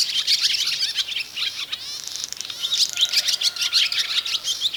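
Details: Barn Swallow song, sung by male or female during pair formation, used by the male to attract a female and show a nest site: lively, rapid twittering of high chirps and warbles with a brief dry rattle midway.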